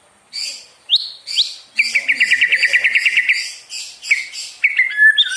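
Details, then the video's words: White-rumped shama (murai batu) singing a provoking song meant to quickly rouse other birds: scattered rising whistles, then a fast, even trill of about fifteen notes, ending in varied sliding and falling whistled phrases. "PANCINGAN MURAI BIKIN CEPAT EMOSI | SHAMA BIRD"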